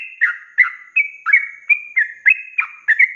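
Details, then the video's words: Sooty-headed bulbul, a cage bird, in lively rapid 'ropelan' style song for tutoring other birds: short bubbly whistled phrases, falling and rising, repeated about every third of a second in a steady chattering run. "SUARA ROPELAN BURUNG TRUCUK GACOR||COCOK BUAT MASTERAN"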